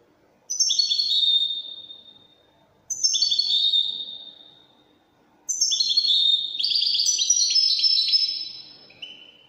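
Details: A Widani European goldfinch sings in the Moroccan Widani manner. Two short, descending tinkling phrases roughly two seconds apart lead into a longer, fuller outpouring of rapid high twitters and trills.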